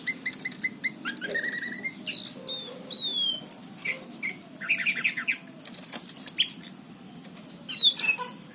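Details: Lively orange-headed thrush song recorded around Cirebon in 2019: repeated clear notes at the start, then varied high whistles, a buzzy trilled burst and sharp chirps in a continuous stream.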